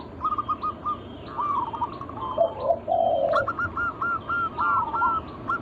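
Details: Zebra dove of local natural stock in full song, used to entice other doves to call: a string of short rolling coos, a lower burbling purr in the middle, then a rapid even series of clipped notes.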